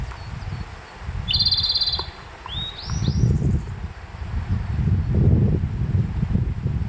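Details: At Konashidaira in Kamikochi in late May, a Japanese robin in a sunny bamboo-grass meadow gives a brief high, rapid trill. Soon after, a grey bunting sings rising, stepped whistled notes, with a constant low background roar.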